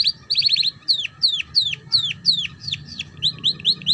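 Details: Canary song used to tutor young birds in ngeriwik: opens with a fast rattling trill, then evenly spaced, high, downward-swooping whistles at roughly three per second, closing with quicker chirps; a low hum continues underneath.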